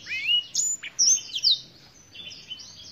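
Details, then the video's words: Black-throated canary, a bird from Africa, singing a short, bright phrase of high whistled slurs that sweep up and down, with a few thinner, softer notes trailing off in a quiet background. "BlackThroat - Canary BlackThroat Sound"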